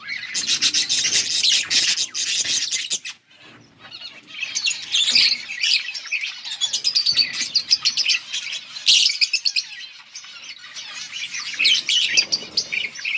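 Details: Yellow budgerigars keep up busy chirping on August 18, 2024, with a loud burst of rapid chatter, a short near-silent gap after three seconds, then warbling and sharp chirps resuming.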